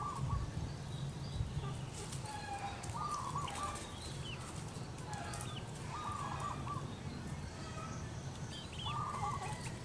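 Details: Local female zebra dove calling its mate with its manggung coo: three separate trilled, bubbling coo phrases about three seconds apart, over a low background hum and higher chirps from other birds.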